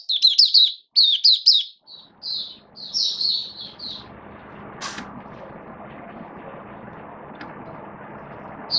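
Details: Oriental white-eye kept as a hobby songbird, recorded 19 September 2022 in build-up form: rapid bursts of high, sweet twittering and chirps for about four seconds, then fading into a steady background hum with one sharp click.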